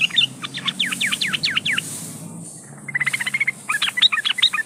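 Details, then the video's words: Breeding female yellow-vented bulbul calling males for use as a lure: a run of fast downward-sweeping chirps, a brief lull, then a dense burst of bubbly chattering notes. "Suara burung trucukan gacor memanggil lawan pancingan trucukan agar ikutan bunyi"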